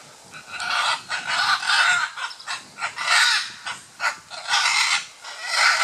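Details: Scarlet macaws during courtship at Playa Blanca, La Palma, on the Osa Peninsula, Costa Rica; harsh, raspy squawks repeated in quick bursts about every half second, loud and broadband, with brief quiet gaps between them.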